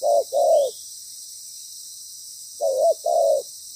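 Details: Spotted dove heard in ground-decoy trapping; two crisp paired coos, a long pause, then another pair of mellow coos, with a faint high hiss.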